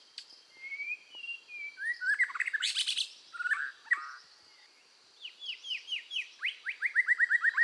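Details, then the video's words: Red-whiskered bulbul song for voice training: soft whistles, a burst of buzzy chatter, then a series of repeated downward-sweeping whistled notes speeding up toward the end. "tiếng chim chèo lửa hót căng luyện giọng kích lửa"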